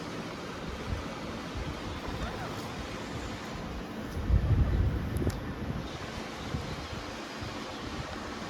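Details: Heavy wind buffeting the microphone, with a louder rumbling gust in the middle.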